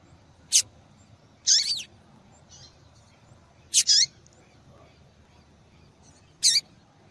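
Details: Female yellow-bellied seedeater (papa-capim) calling repeatedly, a call used to stimulate males to sing: four short, high, sharp notes spaced unevenly over seven seconds, some doubled, with a quiet background.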